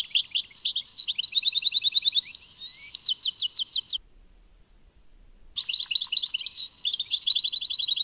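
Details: Tadmait song by a European goldfinch: varied twittering and rapid trills, a series of sharp downward-swept notes, a long pause, then dense tinkling phrases with trilled endings.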